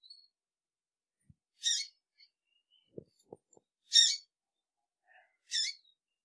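A female double-collared seedeater gives three short, harsh, buzzy calls about two seconds apart, with a few soft knocks between them.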